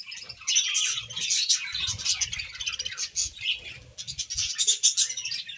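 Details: Budgies bathing among lush leaves in summer heat: continuous buzzy warbling chatter from several birds, with soft low rustles and splashes underneath throughout.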